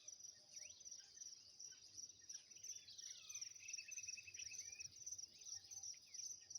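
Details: Lined seedeater song in the style called 'trem bala': quick twittering whistled notes and slurred downward sweeps, then a fast buzzy trill in the middle, all over a steady loud high-pitched insect-like drone.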